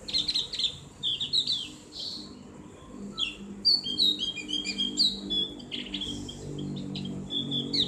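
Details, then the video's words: Ngriwik song of the Javan grey-throated white-eye, also called opior jawa or cak gentong, recorded as tutor material for kept birds. Dense high twittering phrases mix with sharp sliding whistles over a faint low hum. "terapi ngriwik buat burung opior jawa/cak gentong | suara ngeplong"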